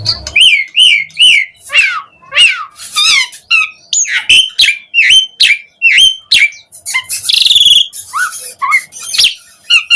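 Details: Lure song of an Asian pied starling for prompting other starlings: varied whistles, harsh squawks and rasping slurs in fast bursts, including a brief dense buzzy trill.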